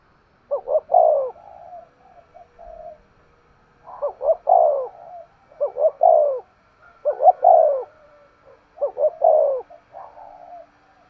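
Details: Spotted dove kept as a decoy, calling 'thúc gù' with a sharp voice, five phrases of quick double notes and a falling coo, each trailed by soft low murmurs, roughly two seconds apart.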